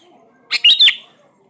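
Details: Sooty-headed bulbul, played as a lure to make quiet bulbuls sing: one loud, harsh, buzzy burst of three quick pulses lasting under half a second, with silence around it.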